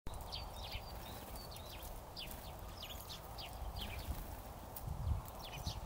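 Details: Bohemian waxwings in Iecava, Latvia give thin, high, trilled notes, many short calls overlapping as from a flock, over a steady low rumble of background noise.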